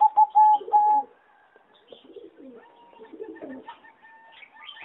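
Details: Zebra dove of a singing line bred for competition, recorded in a flight-cage aviary on 26 April 2014: three loud, level coos, then soft, low warbling and fainter tonal notes from other birds.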